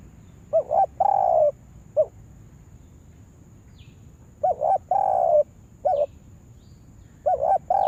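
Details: Spotted dove used as a lure bird for trapping: three double-coo-and-long-coo phrases, each followed by a single short extra coo, with a quiet stretch in the middle.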